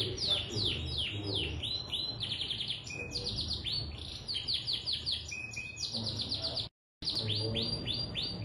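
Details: Canary in long, vigorous song meant to set other canaries singing: dense rapid trills of high, downward-sweeping notes repeated in fast rolls, with a brief cut of silence near the end.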